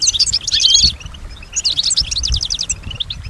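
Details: European goldfinch, caged female, mimicking sounds around her: two bursts of fast jingling twitter with sharp whistled notes, separated by a short pause, high-pitched against faint low rumble.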